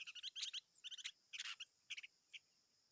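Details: Chim ngũ sắc (five-coloured bird) giving a quick series of short, dry chirps and twittering notes in little bursts, ending with a brief high whistle, against a silent background.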